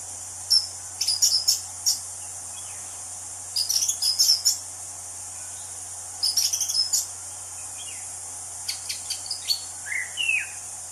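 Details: Orange-headed thrush in the wild, giving clustered bursts of sharp, high chattering notes and a few slurred whistles, spaced by short pauses, with constant high insect buzzing behind.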